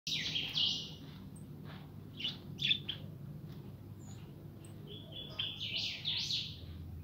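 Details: Young kept European goldfinch described as a pintón, giving short bursts of high, bright twittering at the start, middle and end, with quieter gaps and a low background hum.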